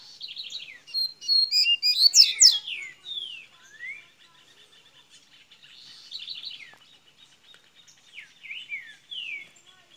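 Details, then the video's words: Seedeater song in the golinha manner, recorded in Minas Gerais: soft buzzy notes swell into a loud fast cluster of high chipping slurs, then quieter spaced descending whistles over a faint steady hum. "coleira golinha de minas gerais abrindo canto"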